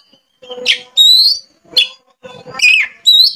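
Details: Oriental magpie-robin, a caged songbird being coaxed into full song with open beak, giving loud whistled and buzzy high phrases in bursts about every half second, with softer low chatter between them.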